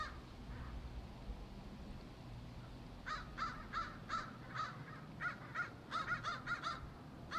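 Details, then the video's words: Crows gathered in a tree, calling: after three quiet seconds, a run of harsh caws about every third of a second, ending in a quicker burst, over steady low background rumble. "A Tree Full Of Crows"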